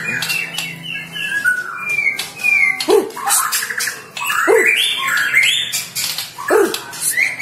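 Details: Magpie-robin singing energetically: clear whistled phrases and sharply falling, sweeping notes that repeat roughly every one and a half to two seconds, interspersed with harsher chattering notes.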